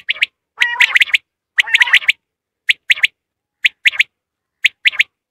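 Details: Quail calling in a hunting setting: crisp high notes grouped in twos and threes, the groups repeated roughly once a second with clean silence between.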